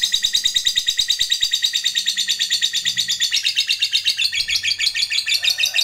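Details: Lovebird singing a long chatter meant to provoke rivals, a steady stream of fast, harsh, high-pitched chattering notes, about three per second, continuing without a break before fading slightly at the end.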